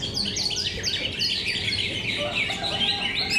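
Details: At a competition in Cikeas's KDP BC Arena, greater green leafbirds deliver a continuous torrent of high, quick chirps and slurred whistles, densely layered voices with no breaks, faint low rumble behind.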